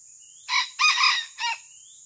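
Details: A wild Sumatran red junglefowl drawn in by a lure gives a short, hoarse crow in three quick bursts, the middle one longest, over a steady high insect hiss.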